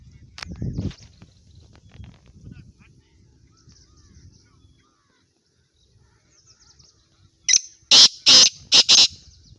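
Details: Sindhi black francolin: low handling noise and faint distant chirps, then a sudden loud phrase of four harsh, strident high notes delivered rapidly near the end.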